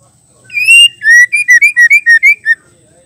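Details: Female white-rumped shama voice for provoking males into singing: a flowing phrase of about ten short, clear whistles that alternate slightly higher and lower in pitch, after a longer opening note.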